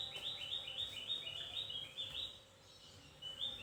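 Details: Thin, high chirping song of a Javan white-eye: a quick series of short rising slurred notes, about four a second, then a pause and a couple of fainter notes, over a low background hiss.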